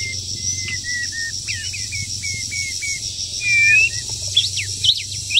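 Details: Wild bird in moult during the breeding season, singing a series of short clear whistled notes, some flat and some sliding, then rising whistles and quick upward chirps, over a constant high insect whine.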